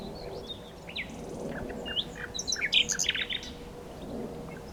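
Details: Scattered nightingale notes building to a cluster of sharp, high chipping and whistled sounds in the middle, then fading to quiet.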